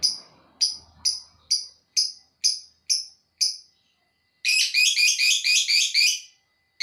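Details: Lovebird giving the long chattering song style called ngekek. Sharp, harsh chirps repeat about twice a second, then break into a dense, rapid chattering trill lasting about two seconds.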